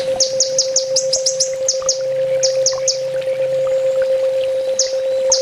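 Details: Sunbird master song for training caged birds: rapid high, thin chirps in quick runs, then pauses and scattered single notes, over a steady low electrical hum throughout.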